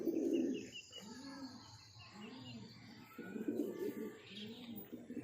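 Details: Pigeons from a breeding pair cooing: low, rounded, arching coos repeated roughly once a second, with a louder burst at the start and again near the middle.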